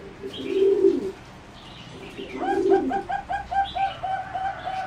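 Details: Flight-cage zebra doves bred for song competition give two low, buzzy coo bursts, followed by a rapid run of clear repeated whistled notes from another bird.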